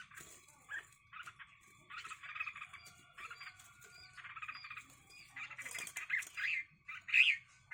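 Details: Red-whiskered bulbuls fighting each other: long strings of dry, buzzy chattering that build toward louder, sharper squawks near the end.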